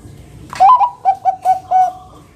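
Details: Loud Bangkok-type zebra dove song, kept to prompt other doves to sing: a bright rising opening coo followed by five evenly spaced short bubbling notes, the last held slightly longer, recorded close with little background.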